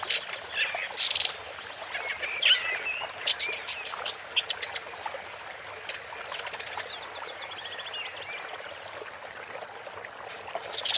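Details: Woodchat shrike giving a varied, scratchy song: squeaky warbles and sweeping whistles, then clusters of sharp ticking notes and a short rattled burst, fading to quieter scattered notes over a constant soft hiss.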